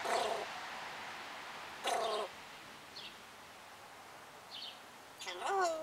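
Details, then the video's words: Pet African grey parrot talking, recorded 24 July 2021: three bursts of rich, voice-like harmonic sounds at roughly two-second and three-second gaps, the last with wavering, bending tones, over faint indoor room hiss. "The African Grey Parrot Talking"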